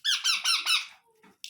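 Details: Four loud, harsh, rapidly pulsed squawks come from baby Indian ringneck parrots at feeding time, followed by a faint low murmur and a brief high squeak.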